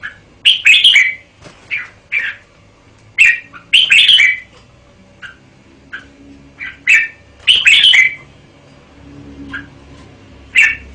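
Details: Red-whiskered bulbul song: clusters of loud, rich, chattering and warbling notes delivered in irregular bursts, some phrases doubled, with short gaps between; faint low hum underneath.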